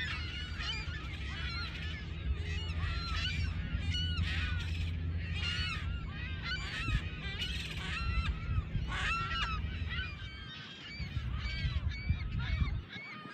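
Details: Thousands of California gulls at a nesting colony on tiny islands in Adobe Creek, between Shoreline Park in Mountain View and the Palo Alto Baylands, California. A dense, overlapping chorus of short nasal yelps and mewing cries sounds over a constant low rumble that eases near the end.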